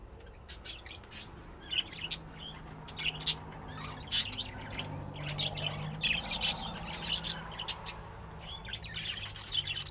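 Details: Budgerigars at play give scattered scratchy squawks and clicks over a low steady hum.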